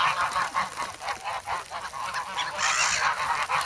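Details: Grown geese in snow at Sloterpark, Amsterdam, February 3, eager for bread. Rapid nasal honking from a group, with a louder, hoarse, drawn-out call toward the end.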